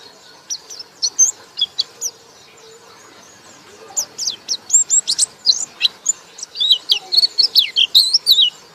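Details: Ngekek-style white-eye singing, loud: sparse high chirps at first, a brief lull, then a fast, busy stream of piercing chirps and twisting whistles.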